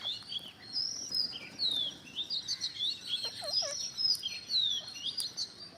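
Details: Green parrots in growing numbers fill the air with dense, overlapping squeaks, slurred whistles and chattering notes, continuous and busy throughout.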